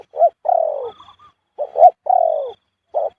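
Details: Spotted dove giving its khu-ang coo almost continuously: a brisk pair of short notes, then a long, slightly buzzy coo falling in pitch, twice in a row, with another phrase starting.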